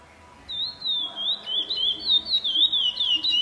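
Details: Chestnut-bellied seed finch singing a continuous, rapid warbling song of clear whistled notes that slide up and down, starting after half a second of near silence; quiet background.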